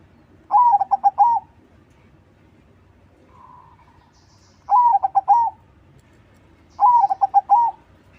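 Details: Active crossbred zebra dove in song as a lure for other doves: three bursts of rolling, mellow coos about three seconds apart. Each opens and closes on a longer note. A faint low hum falls between the first two.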